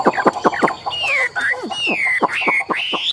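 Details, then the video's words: Tame, big-bodied Chinese hwamei valued for competition singing: loud whistled phrases with slurred falling and rising notes, preceded and followed by sharp sweeping knocks and clicks repeated several times a second. "Họa mi thuần đét, Bộ to - Đấu hót rất tốt"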